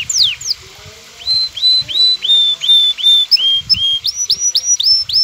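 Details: Excited male canary singing to a female to induce mating posture: a steep descending whistle, then series of short slurred whistled notes stepping in pitch, repeated in quick rhythm over faint low noise.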